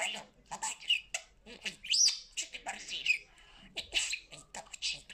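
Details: A talking pet parrot chatters in quick word-like phrases, with a few shrill whistled squeaks rising above the jumbled speech sounds.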